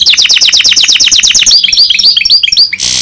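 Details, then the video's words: Goldfinch and canary hybrid singing: a fast run of repeated high chirping notes, about three per second-fraction, that slows into looser rising and falling twitters before a short burst of hiss at the end. "Гибрид щегла с канарейкой/ سایره کنری/ hybrid of goldfinch and canary"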